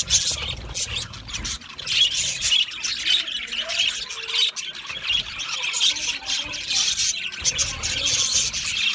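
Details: Lonely budgerigar calling loudly for contact or in distress: dense, harsh, rapid high squawks and chirps run through the whole stretch in insistent bursts, with low rumbling noise near the start and end.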